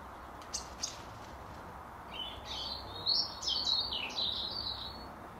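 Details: Local European robin singing from its usual branch in a garden apple tree during the final hour of daylight, proclaiming its territory: a high, thin, warbling phrase of quick tumbling notes after a few isolated high clicks, over steady low background hum.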